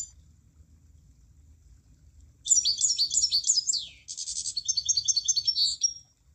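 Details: After a quiet start with low background rumble, a munia bursts into high, jumbled chirps that fall away at the end. A rapid, buzzy trill of tight pulses follows.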